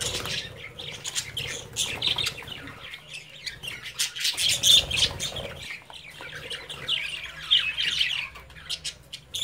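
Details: Budgie chicks playing in a cage with parent budgerigars nearby: continuous scratchy chirping and squawking, roughly four notes a second, rising in loudness mid-way, with faint rustling throughout.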